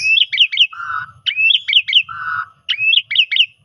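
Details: Asian pied starling singing in the "kopi-kopiko" style as a lure song: loud, sharp whistled notes in quick bursts of three or four, broken by lower, drawn-out fluttering phrases.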